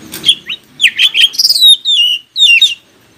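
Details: Oriental magpie-robin song to trigger other magpie-robins into answering: a fast, lively stream of clear whistles, mostly high and gliding downward, with quick twittering notes and a final short flourish, on a clean background.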